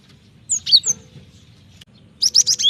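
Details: Cinereous tit singing energetically, meant to lure and tutor other birds: a few high slurred whistles, a silent second, then four rapid bright chirped notes; faint low background hum.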